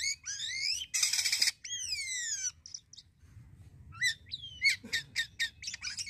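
A starling sings a varied, fast medley: rising and falling slurred whistles, a harsh rasping burst, then quick sharp notes and clicks.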